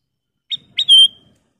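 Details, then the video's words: Kutilang emas bulbul, a master recording for training cage birds: a brief clipped note, then a bright sustained whistle that slides slightly downward, all within under a second in a quiet setting. "Suara Siulan Burung Kutilang Emas Masteran Istimewa"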